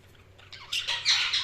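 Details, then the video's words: Budgerigars chirping: a short burst of scratchy, squawky chirps that grows louder toward the end, with rapid overlapping notes. "Budgies Chirping sound"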